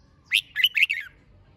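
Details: Red-whiskered bulbul singing to spur other birds into competitive singing: a short phrase of three or four warbled, slurred notes, bright and liquid, lasting under a second.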